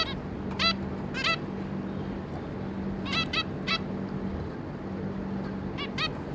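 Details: Zebra finches, a pair with three juvenile babies, 26 May 2022: paired nasal calls near the start, a group of four mid-clip and two more at the end, separated by pauses, over a low hum.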